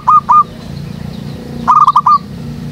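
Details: Zebra dove calling near a jackfruit tree behind a house, used as a lure for trapping doves; short soft cooing phrases, two at the start then a quicker run of four or five notes, over a steady low hum.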